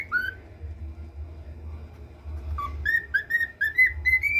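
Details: Pet male cockatiel learning to whistle the national anthem: a short rising whistle, a pause, then a run of clear fluted notes climbing step by step in pitch over steady low indoor rumble.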